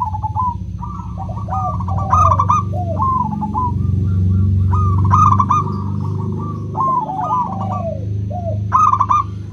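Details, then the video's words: Local zebra doves with a clear 'crystal' voice, used as a lure to prompt reluctant doves to sing: overlapping fast, rolling coos mid-pitched and repeated almost without pause, several birds at once, over a steady low hum and a faint high electronic tone. "Pancingan PERKUTUT LOKAL suara KRISTAL, untuk memancing perkutut susah bunyi"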